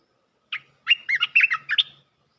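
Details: Bulbul lure call used for trapping, played to draw down a territory-holding bird: a quick burst of bright chirping notes, several short rising and falling whistled syllables in about a second and a half, clean background.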